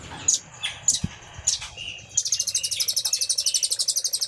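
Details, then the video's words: Velvet-fronted nuthatch in a master song with a cililin-style filler, used to prompt caged birds to sing: several sharp high chirps give way to a fast, even trill of high notes lasting about two seconds. "RAMBATAN GACOR ❗️Isian Cililin❗️Masteran Rambatan Paruh Merah"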